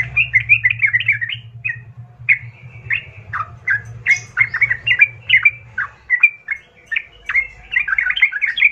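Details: Yellow-vented bulbul (Pycnonotus goiavier), song: lure song to provoke a rival into answering and fighting.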